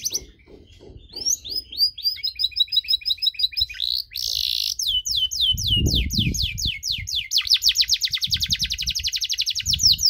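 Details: Long canary song meant to stir up other canaries: varied chirps and sweeping notes, a short harsh burst, then long runs of rapid buzzy repeated notes that quicken into fast trills, with low thumping background noise.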